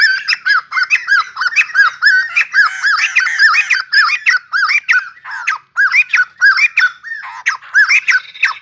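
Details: Bouncy arched notes from a white-crested laughingthrush singing as it dances like a ballet dancer, strung together fast, then breaking into choppier, separated phrases of rising hoarse calls.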